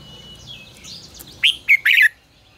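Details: Red-whiskered bulbul giving a fiery 'ché căng lửa' phrase used for training other birds: three quick, loud, twisting whistled notes in under a second, preceded by softer rising and falling chatter.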